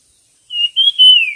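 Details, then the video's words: Bird in a singing competition, giving three clear whistled phrases in quick succession, the last one longer and gently falling in pitch, with no other sounds. "suab noog quaj dib tuaj zoo 100% chim hót đấu"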